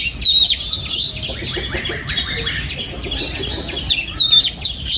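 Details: Oriental magpie-robin in a breeding aviary, 2022: a dense run of rapid chirps and twittering notes, a few clear high whistles standing out at the start and near the end.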